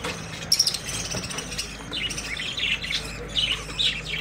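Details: Early-summer breeding budgies: a few clear high chirps and short whistled notes come over a quieter background of scratchy twittering, with a faint low hum throughout.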